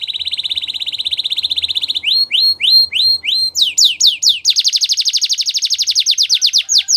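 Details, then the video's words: Canary singing a song meant to encourage other canaries to join in: a steady buzzy trill, then repeated rising hooked whistles, a few sharp downsweeps, and a fast rolling trill. "Canary Seducing Friends To Sing"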